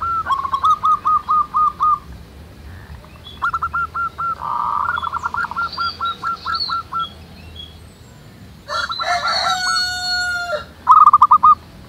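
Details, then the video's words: Local zebra doves singing in the wild: runs of rapid, rolling coo notes pause and resume. A strong, harmonic call from another bird enters near the end, followed by a final loud burst of coos. "SUARA BURUNG PERKUTUT MANGGUNG RAMAI DI ALAM"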